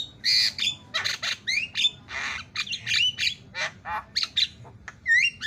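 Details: Javan myna masteran fill-in song: loud harsh squawks alternate with short bent whistles and rasping notes in an uneven, lively sequence.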